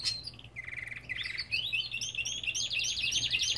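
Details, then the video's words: Belgian canaries in an aviary sing a rapid, rolling trill that climbs from a lower buzzy roll into high, fast, chattering notes, with other canaries overlapping. "Lindos cantos de canários!"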